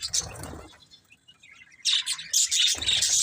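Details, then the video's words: Budgerigars chirping: a low rustle and a few faint notes, a quiet gap, then dense bursts of high, scratchy chirps and twitters from about two seconds on. "Beautiful Budgies Chirping Sounds"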